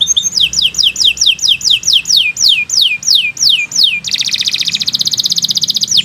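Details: Canary training song: a string of about a dozen downward-sweeping whistled notes, rhythmic and evenly spaced, then a dense, rapid buzzy trill.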